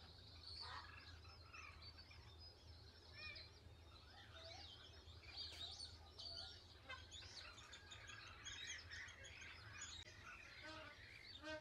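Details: A flock of plumed whistling ducks at Lake Galletly, Gatton, South-East Queensland, on 21 June 2024, keeps up a dense, overlapping chorus of high, thin whistles and twitters over a steady low hum.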